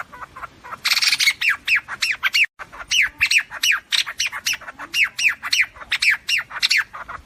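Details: Flock call of the white-throated fantail, used by trappers: a harsh burst, then a steady, rapid series of sharp downslurred notes, about three per second, sounding like a lively group.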